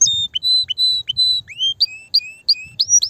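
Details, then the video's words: Loud, excited canary singing, said to stimulate mating and prepare females for nesting: clear whistled notes and rising upslurs repeated about three per second, each phrase high and ringing. "تغريد كناري هائج , لتجهيز الاناث على التزاوج , و بناء العش فورا"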